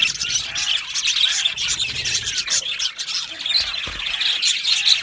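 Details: Many happy budgies chirping and squawking together in an aviary, a steady high, raspy chatter with brief sharp peeps and occasional low knocks.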